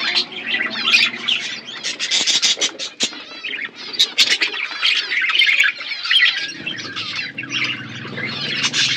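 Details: Several pet budgerigars feeding on seeds in a natural outdoor aviary give continuous raspy warbling, squawks and chirps, with a low hum entering toward the end.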